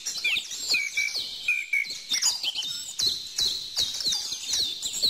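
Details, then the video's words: Mixed birdsong with a lower whistled note held briefly early on, then many bright, high chirps and downslurred whistles overlapping, plus soft scattered clicks. "bird song"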